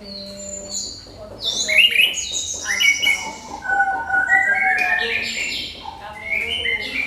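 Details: Orange-headed thrush delivering crystal-clear song used to trigger singing in other birds: a quick sequence of varied whistles, descending slurs and bright trilled phrases, loud through the middle.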